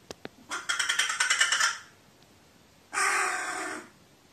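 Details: Crow muttering to itself, 15 May 2018, described as frightened: a rapid stuttering series of harsh pulsed notes for over a second, a pause, then one long drawn-out grating call.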